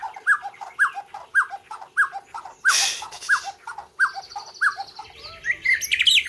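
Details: Competition white-rumped shama from Gayo, Aceh, in a 2021 contest: clear downslurred notes repeated about twice a second, briefly drowned by a burst of noise, then a jumble of higher twittering from other birds.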